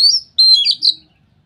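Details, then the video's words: Brief ngeplong phrase from a white-rumped shama, a song said to make other shamas sing too: high sliding whistles running into a fast, rich warble. "suara burung KACER NGEPLONG ini bikin Kacer lain langsung ikut ngeplong"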